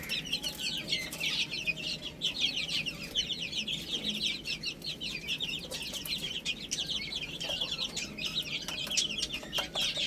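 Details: Chicks eating spinach chirp nonstop: many high, piercing, down-slurred peeps crowd together in a continuous twittering mass, with scattered pecking clicks near the end.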